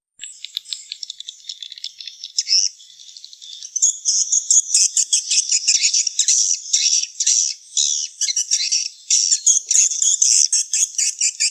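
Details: Swiftlets for a nest-house business: dense, high, scratchy chirps and clicks pulse in quick irregular bursts, building into busy colony-like twittering.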